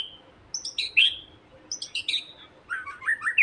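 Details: Provocation song of a white-rumped shama, meant to excite another shama into singing quickly: two short bursts of high, sharp, squeaky whistles about a second apart, then a lower warbling phrase.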